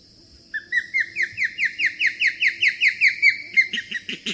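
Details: Osprey in summer, in the breeding area, giving a call said to be made in defence of its nest: a quick run of about a dozen sharp whistled cheeps, two or three a second, climbing slightly and turning harsher at the end, over a faint low hum.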